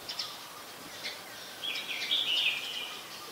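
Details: Brown-throated sunbird in Ubon Ratchathani, Thailand, recorded 15 January 2021; a high, thin twittering phrase swells mid-clip after a few scattered chirps, over a steady hiss of background noise.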